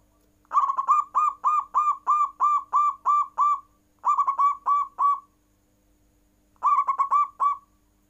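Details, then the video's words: Zebra dove in captivity giving a full trilling coo that sets rival birds calling; long runs of quick, evenly spaced purring notes in three bursts separated by short pauses, over a faint constant hum. "Perkutut nggayer full membuat lawan ikut bunyi"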